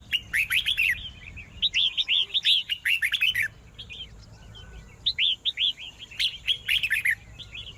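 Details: Red-whiskered bulbul singing to provoke a rival: bright, rapid warbled phrases of short rising-falling whistled notes, delivered in two bursts separated by a brief pause, with faint clicks between phrases.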